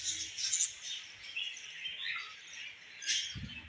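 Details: Budgie mom feeding her baby: soft, wavering chatter of high, scratchy notes with brief louder spikes, and a dull low knock near the end.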